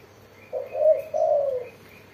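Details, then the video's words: Spotted dove giving a single low cooing phrase, a short note followed by a longer rolling coo, over a soft outdoor background with faint higher bird notes. "burung tekukur derkuku gacor suara mersik"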